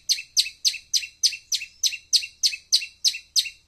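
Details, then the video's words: A long-tailed shrike gives a fast series of harsh, scratchy chirps, about three per second, steady and evenly spaced, with nothing else audible. "Suara Panggilan CENDET"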